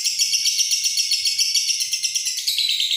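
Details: Lovebird singing a long "ngekek" chatter, an unbroken high-pitched, shrill, rapidly pulsing trill with a steady stutter.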